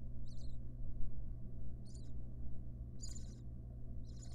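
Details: Barn owl mother with nestlings in a monitored wild nest box; four brief scratchy high-pitched bursts are spaced about one second apart against a constant low electrical hum.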